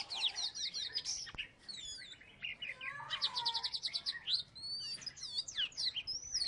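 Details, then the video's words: Salatiga Oriental magpie-robin, a former third-place champion, pours out a dense, lively song of fast repeated trilled notes, sweeping upslurred whistles and chattering runs, nearly without pause. "Burung kacer salatiga gacor"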